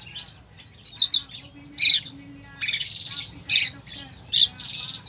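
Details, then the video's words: Oriental magpie-robin singing a full 'isian' song, used to rouse sluggish birds: loud, harsh, high chattering bursts alternate with short shrill whistled notes, roughly every second, over a faint low hum. "Kacer full isian"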